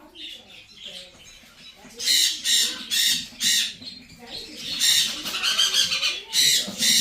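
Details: Two baby blue-and-gold macaws hand-fed at a bird store in Orange City, Florida, with food put directly into the crop. Harsh, raspy bursts of squawking arrive in clusters of several calls. A man talks quietly underneath and music plays.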